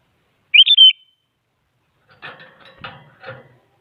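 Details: Sooty-headed bulbul singing to provoke rival bulbuls into song: a clear, bright three-part whistled phrase, followed after a pause by softer rough chattering and clattering noises.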